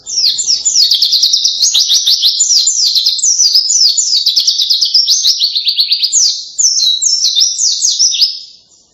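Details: White-eye known as pleci delivering a long, loud canary-like song: nine seconds of rapid, high trilling and down-slurred chirps, one short pause near the end.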